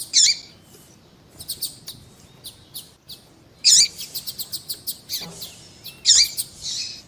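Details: Double-collared seedeater (coleiro tui tui) male and female calling, used to stimulate a kept male to sing: shrill, harsh bursts every two to three seconds, separated by quick ticking chirp series.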